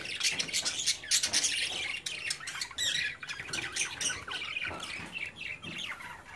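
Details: Budgie babies playing in their cage, parents nearby; bright, rapid, overlapping squeaks and harsh squawks pour out in a constant high chatter.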